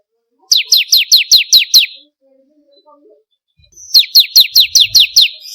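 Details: Song of the bar-winged prinia, locally ciblek kristal, played to stimulate caged birds: two bursts of about seven sharp, descending high notes each, separated by near silence.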